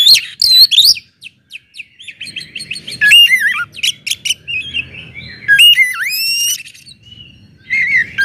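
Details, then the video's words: Oriental magpie-robin (kacer) giving loud song meant to stir other kacer to sing; bursts of clear whistles and sweeping slurred notes separated by quieter pauses, ending with a long rising-falling whistle and soft chatter. "kacer gacor ngeplong SUARA KERAS BIKIN KACER Lain NAIK EMOSI,, PANCINGAN KACER AGAR RAJIN BUNYI"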